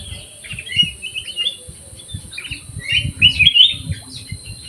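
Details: Aviary black-crested bulbul singing fluty whistled phrases, a warbling run early and a louder rich flourish later, over faint low thumping background sounds.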